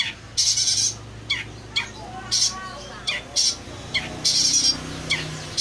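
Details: Long-tailed shrike singing, used as a lure to make silent or stressed birds respond; loud harsh hissing bursts alternate with short rasping notes at irregular half-second gaps over a low background hum.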